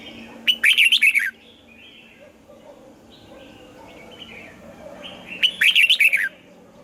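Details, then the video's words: Red-whiskered bulbul singing in the morning, 'âm kép già rừng' double-note style, for voice training: two tight phrases of quick warbled whistles stepping downward, about five seconds apart, with faint softer chirps from other birds between them. "Luyện giọng cho chào mào hót sáng, ép chào mào hót âm kép già rừng hay tuyệt!"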